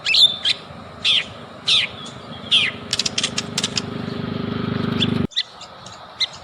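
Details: Lure song of a white-rumped shama used to provoke singing: loud, high, slurred notes repeated about every half second, then dry clicks and a low hum that cuts off abruptly.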